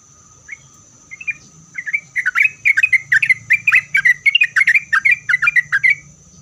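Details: Rising into full song, a sooty-headed bulbul starts with scattered notes and accelerates into a dense run of bright, tumbling chirps, a song meant to set other bulbuls answering, over a faint constant whine.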